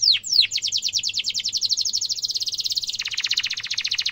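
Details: Canary delivering a sharp rolling trill as a tutor song for young birds: two sweeping notes, then a long rapid high trill that drops to a lower rolled trill near the end.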